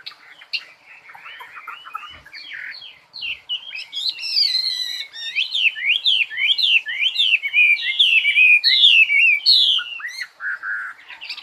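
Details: A songbird delivering a long, lively warble of quick whistled notes, many sharply rising then falling, gathering pace and loudness into a dense run of chirps before closing on a lower trill.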